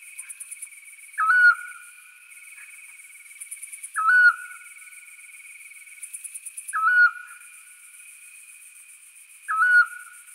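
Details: A Eurasian scops owl at a bird-ringing station in the Scrivia valley, Alessandria, Italy, on 5 April 2019 at nightfall gives a short, soft, steady "chiù" whistle about every three seconds over constant high insect buzzing.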